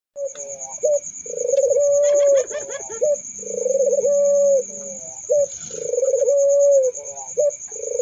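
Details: Barbary dove cooing: a low, rolling purr swelling into a drawn-out mellow coo, preceded by a short clipped note, repeated at uneven intervals; brief chirps from another bird and a steady high whine throughout.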